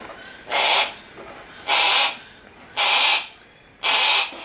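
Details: A captive Harris's hawk, excited and happy at the arrival of a favourite keeper at a bird park, gives four harsh, rasping screeches, each about half a second long, spaced roughly a second apart, over a quiet background.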